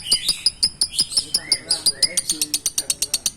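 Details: Lovebird of the konslet colour form, a young bird described as having striking colours, giving rapid chattering song: dense clicking bursts repeated several times a second, with brief rising whistles in the middle.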